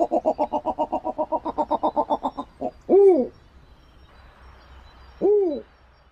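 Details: A Snowy owl (Bubo scandiacus) gives a fast, harsh cackling series of about fifteen notes, then two separate arched, barking calls a couple of seconds apart.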